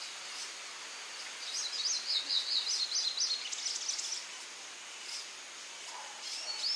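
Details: Hooded siskin (Spinus magellanicus magellanicus) at Costanera Sur, Argentina, in February 2022: a distant, faint run of high twittering notes lasting about two seconds, then quiet with a brief high phrase near the end over steady background noise.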